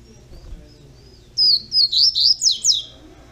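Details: Captive young double-collared seedeater produces a lively phrase of six rapid high slurred whistles, evenly spaced, in an otherwise quiet indoor setting.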